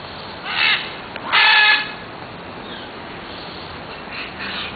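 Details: Red-and-green macaw calls: two loud, harsh, raspy squawks, the second longer, followed by fainter distant calls over steady background hiss.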